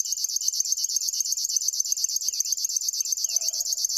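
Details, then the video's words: A river warbler gives a steady, high, insect-like buzzing of rapid rhythmic pulses, like a sewing machine; brief soft whistles from another bird come near the end. "try to hear this River warbler"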